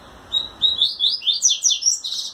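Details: Double-collared seedeater, a caged male, singing to a female while trembling its wings in courtship: a quick run of high, sliding whistled notes climbing in pitch, with low room hum underneath.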